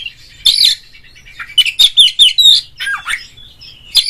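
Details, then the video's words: Oriental magpie-robin song used as a lure to provoke a rival: a quick series of sharp, high whistled notes and short twisting slurs, tumbling and varied, with brief pauses between phrases, in a quiet background. "suara pancingan burung Kacer agar CEPAT GACOR FULL buka ekor"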